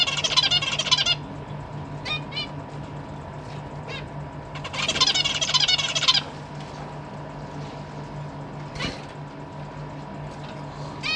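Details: Captive zebra finches, a family with parents feeding newly fledged young in a large cage; bursts of buzzy, nasal harmonic calls cluster densely at the start and again around five seconds, with scattered single calls between over a steady low hum.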